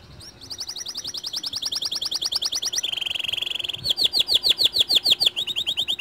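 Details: White canary singing, a song used to lure other canaries into singing; fast repeated whistled notes in tours, a buzzy trill near the middle, then loud rising-falling sweeps about twice a second.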